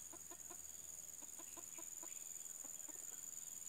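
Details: Red junglefowl hen kept as a trapping decoy. She gives soft, low, rapid clucks in short bursts of three or four, pausing between bursts, under a steady high insect drone.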